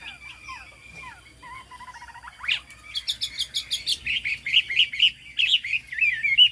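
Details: Cao cầu song of a fig-leaf-tailed, turmeric-billed Chinese hwamei: soft distant twitters and a short buzzy trill, then louder clipped notes building into rounded warbled whistles.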